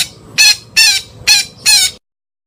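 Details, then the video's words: Calling parakeet giving four harsh, grating squawks, evenly spaced about every 0.4 seconds, each loud and rasping, then silence. "KICAU BETET MEMANGGIL"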